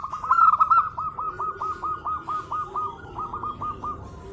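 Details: Local female zebra dove calling to a male, used as a lure: a loud opening burst, then a long rapid series of hooked, bubbling coo notes at a steady pitch over low background rumble.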